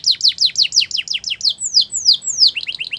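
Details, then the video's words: Singing Belgian canary, song used to get other canaries singing, with rapid high chirps repeated several times a second, a few longer falling whistles, then quick chirps again. "Special canaries to seduce all the canaries to make them sing | Belgian canary"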